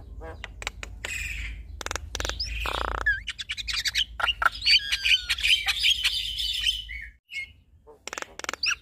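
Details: Male and female Javan mynas in duet: sharp clicks and a harsh rasp, then a busy stretch of high whistled slurs and chattering notes, ending in brief silence and a few clicks.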